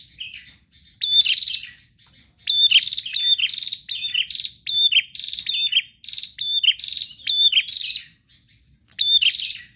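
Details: Energetic prinia song without pause, for prompting kept prinias to sing: repeated bursts of harsh, buzzy high chirps and rattling trills coming in quick series, with short quiet gaps.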